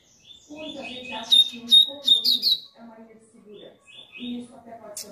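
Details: A double-collared seedeater sings a warm-up song to stimulate other males: quick, bright chirps and sharp whistled notes in a high, rapid run, over low background music and voices.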